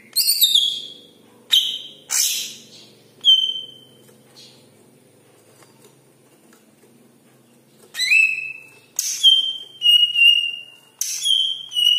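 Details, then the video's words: Cucak ijo kepala kuning leafbird singing, used to encourage other birds to sing: short clear whistled notes in bursts, a long pause with faint ticking, then a rapid series of high, slightly descending whistles. "KICAU BURUNG CUCAK IJO KEPALA KUNING"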